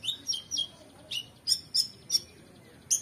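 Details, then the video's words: Oriental magpie-robin song meant for training competition songbirds: sharp, high whistled notes delivered singly about every third of a second, some slurred downward, with a faint low rumble underneath. "KONIN GACOR EMOSI FULL BONGKAR ISIAN MEWAH‼️Cocok Untuk Masteran Burung Lomba"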